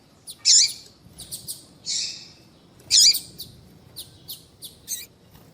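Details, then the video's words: Female double-collared seedeater call used alongside tui tui male song to warm up a male coleiro: three loud, harsh high chirps about every second and a half, with softer ticking notes between. "Esquentar coleiro com Piado de fêmea de coleiro e coleiro tui tui cantando"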